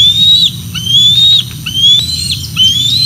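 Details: Bald eagles at their Decorah North nest, 06 12 2024, when the female delivers a fish and two eaglets come to feed: three thin, drawn-out whistled notes, each rising gently, with steady low rumble behind.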